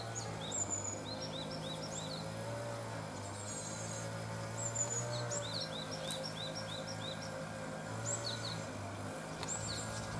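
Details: Japanese tits, recently fledged from a nest box: rapid series of short high chip notes in runs of five to eight, pausing between bursts, against a low continuous hum.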